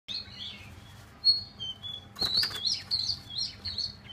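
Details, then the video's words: Chinese hwamei singing a run of clear, high whistled phrases, some sliding up and down, delivered in quick bursts, with a brief rustling burst midway. "chim họa mi"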